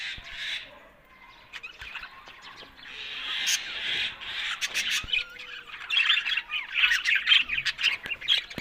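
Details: Budgerigars warbling, faint and sparse at first, then building from three seconds into a busy chatter of squeaky chirps that grows louder toward the end.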